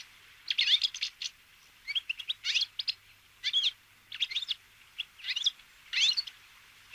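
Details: Brambling (Fringilla montifringilla) wintering flock, feeding on sunflower seeds at a bird feeder, giving many short, high chirps and twittering notes in irregular bursts with brief pauses between clusters.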